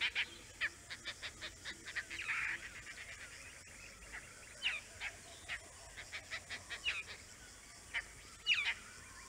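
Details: Oriental dollarbird calling in the Andaman Islands: a run of short, harsh rasping notes, some quick and clustered, others spaced out, with a louder burst near the middle and a few sharper notes near the end.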